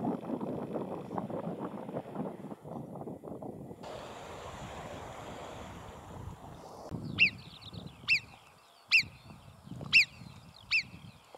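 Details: A lone great skua standing on an almost deserted beach in Vendée, France, in June, gives five short, sharp, harsh calls about a second apart, each with a quick downward inflection, after several seconds of wind and surf rumble.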